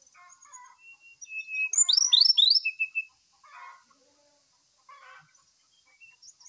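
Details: Morning song of a brown-chested jungle flycatcher, used as a lure to provoke another bird into singing: soft chattering, then a loud burst of rapid slurred whistles and buzzy notes, then quieter twitters.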